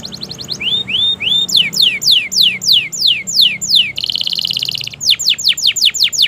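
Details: Kenari, the canary, in long continuous song for training silent and juvenile birds: short rising whistles, then a series of loud descending sweeps, a dense buzzing roll, and more falling sweeps.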